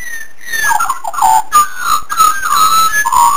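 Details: Australian magpies in a home garden in Australia, warbling for food: fluid, whistled, flute-like phrases sliding between mid and high pitches, with overlapping voices and brief pauses, continuing steadily throughout.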